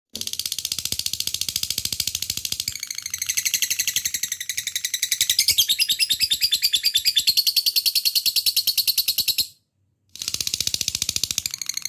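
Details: Lovebird (labet) ngekek used as a lure to set fighter lovebirds singing: a long, rapid, buzzy chatter of evenly pulsed high notes, about three per second-pulse bursts, running on for several seconds, briefly stopping, then resuming.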